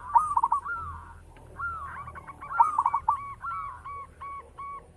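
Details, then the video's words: Local perkutut, the zebra dove, singing loudly: soft rolling, slurred coos leading into chains of crisp staccato coo notes, phrases repeated about every two and a half seconds against a quiet rumbling background. "Perkutut lokal gacor - SUARA BESAR MEWAH"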